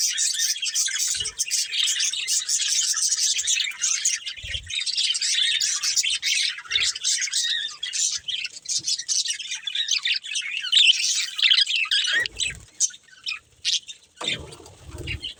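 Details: Pet budgerigars, a breeding pair, warbling and squawking in a long unbroken run of scratchy, high-pitched chirps. Occasional thumps break in, and louder scraping noises come near the end.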